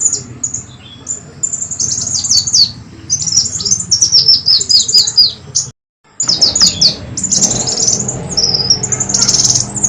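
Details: Brown-throated sunbird calling on a lure track meant to draw birds near: long sequences of shrill, quick downslurred notes and trills, a brief silence, then loud high chatter with a whistled slur.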